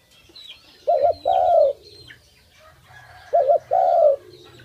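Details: A pet dove sings for its keeper: two clear coo phrases, each a brief double-peaked note followed by a long tone falling away, about two and a half seconds apart, with faint high chirps and low hum behind.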